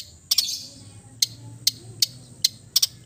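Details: Long-tailed shrike, an East Java type, singing a relaxed song meant as therapy for silent birds: sharp high ticking notes, one short harsh burst, then single clicks spaced irregularly at about half-second intervals, with a low hum underneath.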